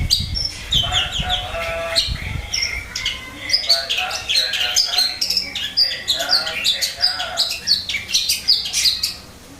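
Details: Long-tailed shrike song: a dense, continuous run of varied chirps, rapid twittering trills and sharp high notes over steady background hiss, with low thumps at the start.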